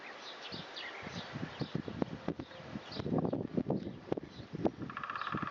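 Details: Great spotted woodpecker filmed from a long distance, knocking on wood: dry, irregular taps every fraction of a second, with faint high bird calls and a short buzzy sound near the end.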